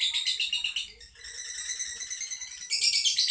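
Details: Lovebird from Boyolali, Indonesia in 'ngedur' style: a quick pulsed shrill trill that softens into a thinner, smoother buzz, then returns loud and rapid at the end.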